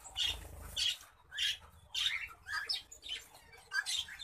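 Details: A pair of orange-breasted zebra finches gives short, nasal, toy-trumpet-like beeps repeated in quick, uneven bursts.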